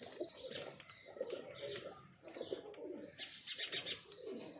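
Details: Breeding pair of pigeons cooing in repeated low rolling phrases, with steady high chirping from other birds in the background.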